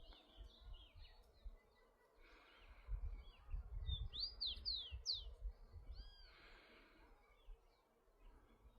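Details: A free-living rufous-collared sparrow in nature gives a run of bright, sharply slurred whistles followed by two softer notes, amid steady low rumbling wind or handling noise and faint chirps from other birds.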